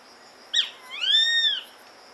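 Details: Grey-faced buzzard calling: a brief sharp opening note, then a long, clear whistle that rises and falls in a smooth arch, loud against a quiet background.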